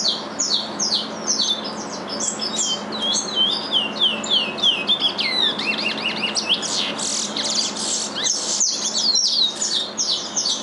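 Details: Two captive-born curiós keep up their father's regional Curitiba song at length. Fast sequences of high, sharp down-slurred notes build into dense twittering, and a few dull knocks sound near the end.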